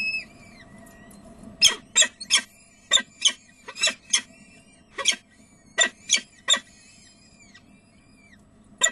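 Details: Peregrine falcons, De Mortel, Netherlands, 30 April 2009 at 19:30: after a quiet start, a loud volley of about fourteen raspy, chattering calls, roughly two to three per second in uneven bursts, then a pause and one final call, over faint steady hum.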